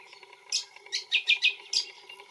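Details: A brown honeyeater (Lichmera indistincta) in Australia gives a quick run of bright, sharp chirps, five or six notes in about a second and a half, over a faint steady hum.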